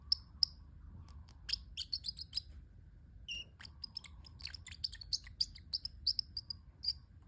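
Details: Pet parrotlet calling with scattered high, thin chirps and quick twittering bursts that come and go over several seconds, with brief quiet gaps between them.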